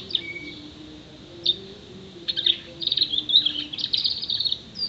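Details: Six-month-old canary whose song includes imitations of sparrow, prenjak, white-eye, blackthroat and ciblek; scattered thin high notes, then a dense burst of fast trilled and chattering phrases in the last two seconds over a steady low hum.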